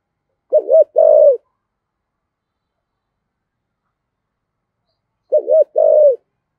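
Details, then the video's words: Spotted dove in thổ-style voice, a song used to get wild-caught doves cooing along, gives two separate coo phrases about five seconds apart, each a quick bubbling double note then a drawn-out low coo, silence between. "cu gáy giọng thổ giọng hay thúc gù bổi nghe gáy theo sung mãn"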